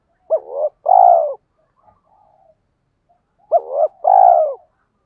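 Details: Spotted dove lure call of the 'thúc' type for stirring wild birds: two identical phrases about three seconds apart, each a quick wavering note followed by a longer, steady, low coo.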